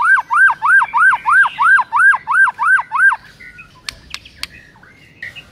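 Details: White-rumped shama song meant to prompt a silent bird to sing: about ten loud arched whistled notes repeated evenly, followed by a few sharp clicks and faint short notes.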